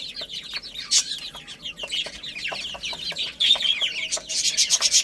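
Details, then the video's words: Chicks of domestic chickens at play and feeding, giving rapid high-pitched falling peeps in a crowded chorus, with loud rattling pecking clicks near the end. "Cute Little Chicks Chirping Sounds| Beautiful Chicks Playing and Eating"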